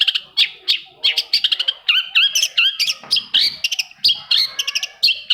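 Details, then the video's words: Long-tailed shrike song used to prompt other shrikes to sing: a rapid, varied run of sharp chirps, whistled slurs and buzzy notes packed closely together, shifting between high and mid pitches with brief gaps. "TOETAN BURUNG CENDET"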